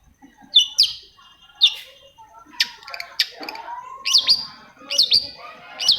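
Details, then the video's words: Long-tailed shrike song used as a lure for silent shrikes: repeated sharp whistled notes with quick upward-downward bends, spaced about a second apart, mixed with brief chatter and a faint lower whistle. "PANCINGAN AMPUH!!! UNTUK MEMANCING CENDET PENDIAM YANG LAGI MALAS BUNYI"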